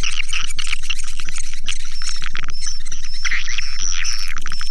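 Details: Swiftlets calling: a dense chorus of overlapping short, sharp chirps and twitters in rapid pulsed bursts, with a steady low hum underneath throughout.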